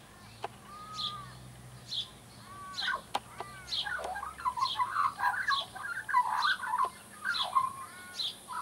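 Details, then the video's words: Young Australian magpie practising song, a behaviour tied to marking and fighting over territory: a few clear whistles at first, then building into rich, dense warbling and gurgling phrases with sliding notes and harmonics, growing louder. "Baby Magpie Warming Up"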